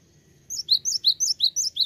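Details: Cinereous tit, locally gelatik batu, in full gacor song: a fast, regular string of piercing high two-part chirps, about eight in under 1.5 seconds, against a soft low background hum.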